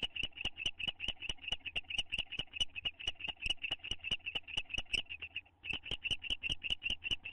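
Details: Two owls in a nest box bonding, May 9, 2011, one attempting to kiss the other; a long run of sharp, high chirps, roughly two to three per second, with a brief pause near the end, low hum beneath.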